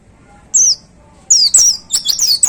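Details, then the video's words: White-eye caged in a hanging cage, in full song in the explosive shooting style: one isolated high chirp, then a loud rush of rapid, high, sweeping twitters. "Suara Tembakan Dahsyat Pleci Gacor Paling Digemari Para Plecimania Digantangan"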